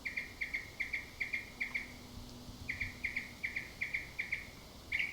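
Northern Mockingbird repeating one bright, chirpy phrase in quick pairs, about three notes a second, with a brief pause before it resumes.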